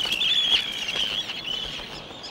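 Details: Arctic terns in a breeding colony on a sand beach of Northumberland's castle coast, nesting in shallow scrapes and squabbling over nest sites; a dense, continuous chorus of overlapping harsh, high calls with no pause.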